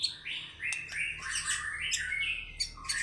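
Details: Caged white-rumped shama singing in fighter style with varied content: rapid sequence of bright whistled and chattering phrases jumping between high and mid pitches, with brief sharp clicks, recorded in a quiet setting.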